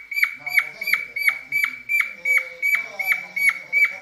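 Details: Singing cockatiel in a mating mood, giving a continuous chain of short whistled notes, each dipping at its end, repeated almost three times per second over soft background chatter.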